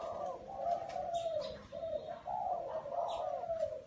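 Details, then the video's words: A spotted dove coos steadily in a small garden, a near-continuous run of soft, low, wavering notes with brief gaps, while faint chirps of other birds flicker above. "Tiếng Chim Cu Gáy"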